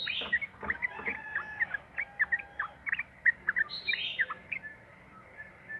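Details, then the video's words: Lively chattering bulbul song used as a lure recording to get other bulbuls singing: quick bright chirps and short whistled notes tumbling over one another with hardly a pause, several sharper rising squeaks standing out, a faint steady hum underneath. "trucukan gacor ROPEL PANJANG buat pancingan trucukan agar bunyi"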